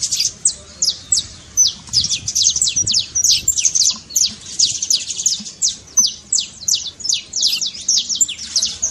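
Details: A canário-da-terra (saffron finch) trincado, played to wake a quiet canary into song. Rapid series of sharp, high falling notes, some in bursts separated by short pauses, about three notes per second at the slower stretches.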